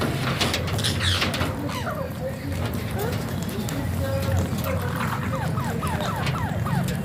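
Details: Alexandrine parakeet (pahaadi tota) making funny talking sounds: a run of short, descending whistled chirps repeated about every half second, set over a steady low rumble of background noise.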